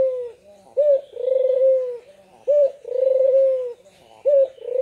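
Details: Lively Barbary dove used as a calling lure for lazy doves: a short abrupt note followed by a sustained, level, humming coo, repeated three times at an even pace.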